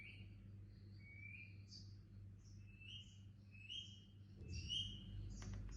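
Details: Baby Indian ringneck parakeet kept as a pet, giving soft, thin rising chirps at irregular intervals over a steady low hum.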